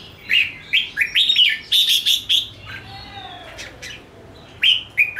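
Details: Red-whiskered bulbul trained for singing competitions, giving a burst of whistled chirping notes, then a quiet gap with a faint sliding whistle, before the chirpy phrases resume.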